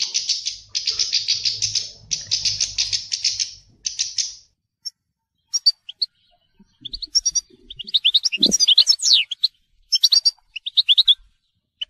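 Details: European goldfinch, telqam song style: opens with several seconds of dry, buzzy chattering bursts, then shifts to scattered thin, high tinkling notes and rapid twittering phrases, separated by brief silences.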